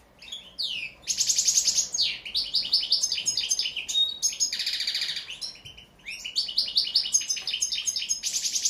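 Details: European goldfinch song: fast tinkling, twittering phrases of high buzzy and liquid notes, loud and continuous with short breaks between bursts.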